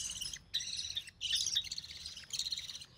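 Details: Recessive pied budgerigar chick hatched in early June 2020, sole survivor of three, recorded while its mother feeds it; high raspy chirping bursts of about half a second, separated by brief gaps.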